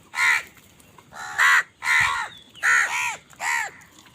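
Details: Five or six loud, nasal caws with a ragged, grating edge from crows fighting for food, each call separated by a short gap.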